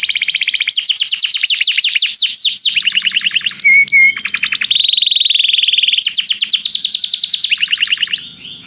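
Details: Canary singing during song training, calling a companion to sing: long fast trills of rapid repeated notes, a brief pure whistled note, then a steady rolling trill and further rapid note series.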